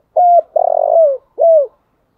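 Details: Loud, close three-note phrase from a decoy spotted dove in the morning: a level coo, a long rough trilled coo drooping at the end, and a clean downward-curving final note.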